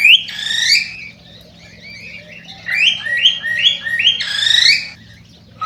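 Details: Cockatiel song meant to excite birds into breeding: a loud warbled opening, a quieter pause, then four similar rising whistled phrases in steady succession and a final strong burst, with soft hum underneath.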